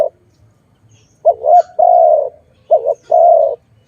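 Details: After a brief quiet start, a dove associated with bird trapping delivers two couplets of coos, each a wavering short note and then a long smooth note.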